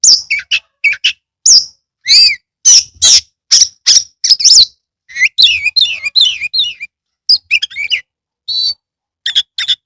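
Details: Kacer, or Oriental magpie-robin, singing 'gacor' with tail spread, from Kebumen, Indonesia: a dense stream of loud, clear whistled notes, rising and falling slurs, rasping squawks and quick chips, with almost no gaps.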